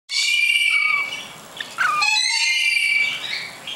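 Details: Lorikeets in the background screech in a shrill, grating chorus of harsh overlapping calls, with a few short, lower whistled notes between them.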